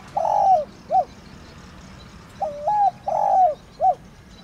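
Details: Spotted dove of the thổ đồng type cooing to rouse other doves: the tail of one phrase, a long falling coo and short note, then a full phrase of double hoot, drawn-out coo and clipped ending.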